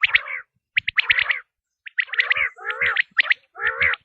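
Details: Quail, locally called batair, in a tested call: harsh, buzzy chirping bursts with stacked harmonics, grouped in short clusters roughly once a second with brief silent gaps, no other sounds.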